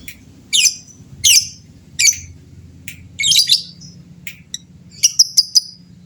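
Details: Lovebird of a fighter type, calling to goad rival birds; repeated harsh buzzy chirps about every 0.7 seconds, clicks, then a quick burst of high ticking notes.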